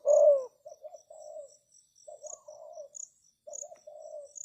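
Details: Spotted dove decoy calling to lure wild doves: one loud coo, then quieter broken cooing phrases in pairs, backed by soft rhythmic insect chirping.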